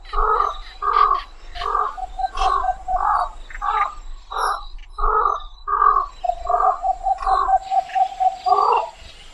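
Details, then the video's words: Javan pond heron giving a series of harsh, croaking squawks about once a second, each broad and raspy, while a steady whistled trill from another bird runs beneath in the second half. "SUARA BURUNG BELEKOK SAWAH"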